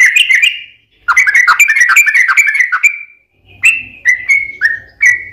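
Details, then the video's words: Yellow-vented bulbul in full 'ropel panjang' song, played to get other bulbuls singing: a short burst of notes, then a quick chattering phrase, followed by spaced clear whistled notes. "KICAU SUARA trucukan gacor ROPEL PANJANG pancingan trucukan agar bunyi"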